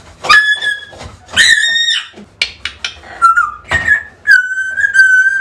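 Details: Calling African grey parrot, intended to draw a lost pet back: loud rich harmonic calls held briefly, several in a row, ending on a long level whistled note.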